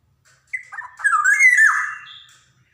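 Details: Single rich phrase from a Javan black-naped oriole, a training song meant to stimulate young birds to sing: a short note, then a loud fluty whistle that rises and drops away at the end.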